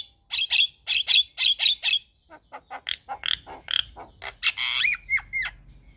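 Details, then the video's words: Javan myna in a vigorous, full, varied song: fast rattling bursts of harsh notes, then a looser chatter, ending in three slurred whistles that rise and then drop. "Burung Jalak Kebo Gacor Full Isian"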